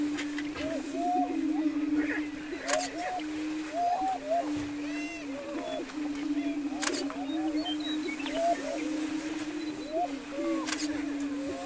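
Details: Greater prairie-chickens displaying on a lek near Wray, Colorado, April 17, 2011: a steady low hooting boom drones throughout from several birds, overlaid by many short rising whoops and cackles, with scattered sharp clicks.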